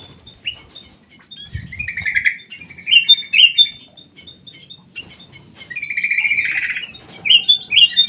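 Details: An aviary black-crested bulbul sings a series of short chirps and warbled phrases, with a longer rolling trill about two-thirds of the way through, followed by sharp rising whistles. A brief low thump occurs early on.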